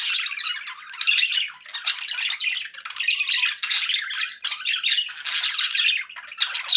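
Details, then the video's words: Pet parakeet company recording of budgies: continuous high, scratchy warbling and chirruping, layered notes overlapping with little pause throughout. "1 hours of budgie sounds for pet parakeets to make tham happy"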